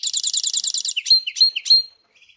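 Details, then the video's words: Singing captive goldfinch-canary hybrid: a fast, even buzzy trill of repeated high notes, then four loud, separate whistled phrases that drop and rise, about one every quarter second. "Поющий Гибрид Щегла и Канарейки"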